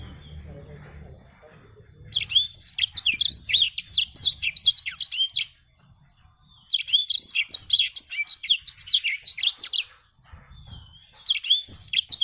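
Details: Black-throated canary in full song, two long bursts of rapid, high twittering and swooping whistles separated by brief pauses, with a third burst starting at the end.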